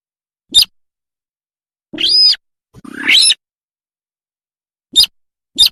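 A buff-banded rail gives harsh, high squeaky notes: three short sharp clicks-like squeaks spaced apart and two longer grating squeals, with no other sounds.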